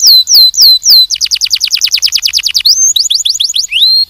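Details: Canary singing loudly: a few clear whistled notes sliding downward, then a fast rattling trill of repeated descending notes, ending in rising whistled phrases and a quicker twittering run.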